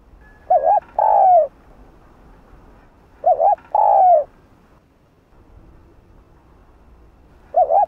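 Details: A spotted dove gives repeated calling coos to prompt a newly caught dove to sing. Two phrases of a wavering coo and a long falling coo come roughly three seconds apart, and a third starts at the close.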